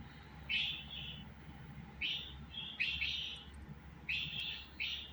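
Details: Budgerigar uttering paired chirps, a sharp note followed by a flatter, slightly buzzy one, in bursts about a second apart, with a faint background hum.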